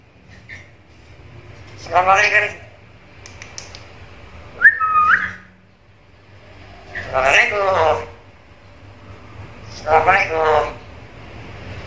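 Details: Talking black-capped lory mimicking varied sounds: three speech-like harmonic bursts spaced several seconds apart, with a short two-note whistle between the first two, over steady low indoor hum.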